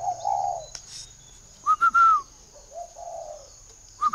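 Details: Spotted dove kept by a bird breeder in northern Vietnam giving low, mellow coos, with sharp, higher whistled notes cutting in between the phrases.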